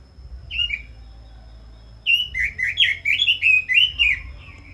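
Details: One short whistled note, a pause of over a second, then a fast rich warbling phrase of Red-billed leiothrix, slurred notes tumbling up and down in quick succession over a faint low hum.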